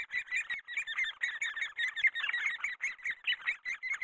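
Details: Great spotted woodpecker in the breeding period, raising young: a continuous rasping chatter of quick squeaky notes running without pause for about four seconds. The notes are uneven in loudness and closely packed.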